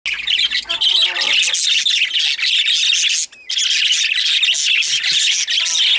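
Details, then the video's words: Several excited budgerigars chattering together in a dense, unbroken wash of high chirps, squawks and warbles, with a brief pause just past the three-second mark before the flock noise resumes. "Excited Budgies/Parakeets"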